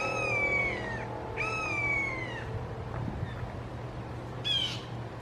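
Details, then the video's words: Three red-shouldered hawks in a Florida backyard calling long, loud and emphatically, perhaps over some family drama; harsh, drawn-out screaming notes that slur slightly downward, three in about five seconds, over a steady low hum. "Amazing Sounds of Red Shouldered Hawks Calling"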